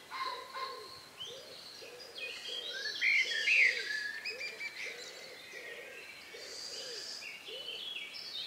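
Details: Outdoor countryside evening on May 2, 2020, about 9 p.m., just before night. Low, soft, hoot-like notes repeat steadily about twice a second beneath scattered high bird whistles and chirps, including two loud whistled notes near the middle.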